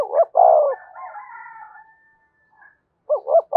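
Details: Decoy spotted dove cooing to rouse and train a newly caught caged male: low hollow coo notes, a drawn-out softer trailing coo, a pause, then another pair of short coos.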